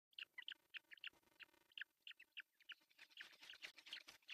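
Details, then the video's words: Osprey at an artificial nest in Pohjois Satakunta, Finland, on a June 10, 2024 morning as the male brings a large fish for breakfast: rapid high chirping whistles, about three per second, growing denser and louder toward the end. "Sääksilive (Osprey Cam) | Dad brings big floopy fish for breakfast"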